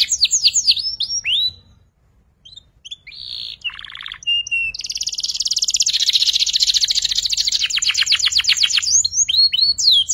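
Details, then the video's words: Young canary learning to twitter (ngeriwik): a few downward sweeping whistles, a silent gap, scattered short buzzy notes, then a long sustained high trill ending in quick slurred sweeps. "PANCINGAN KENARI PAUD BELAJAR NGERIWIK"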